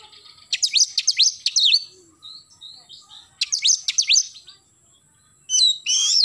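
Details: Oriental magpie-robin in lively morning song, delivering fast bursts of high, sharply sweeping whistled notes in two rapid volleys separated by a short pause, ending in a loud, ringing phrase.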